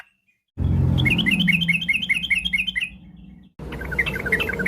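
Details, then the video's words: Afternoon yellow-vented bulbul song meant as a lure to set other birds singing: a quick run of bright bubbling notes over a loud low rumble of background noise, then a second shorter phrase. "pancingan trucukan bahan biar bunyi gacor.! trucuk ropel, trucuk gacor fariasi, trucukan sore hari"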